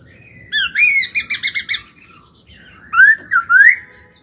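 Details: Laughingthrush kept for song and training: a rapid train of six or seven loud, harsh-edged repeated notes, then a short pause and a bright three-part slurred whistle.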